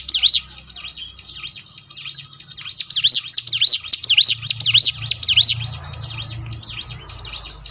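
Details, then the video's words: Bar-winged Prinia (ciblek gunung) singing, used to prompt birds to sing more: opening high notes, a lull, then a loud rhythmic series of sharp swooping chirps that fades toward the end over a low background hum. "ciblek gunung mana yang gak tergoda ikut berbunyi"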